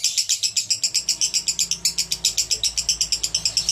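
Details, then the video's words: Male lovebird delivering konslet song, a continuous stream of sharp, rasping high notes pulsing about four times a second. "Love Bird jantan Konslet."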